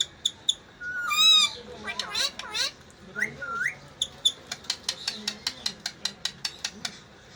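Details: Talking parrot voice: a loud wavering squawk, then chattering harmonic syllables and short whistled phrases, ending in a steady train of crisp ticks.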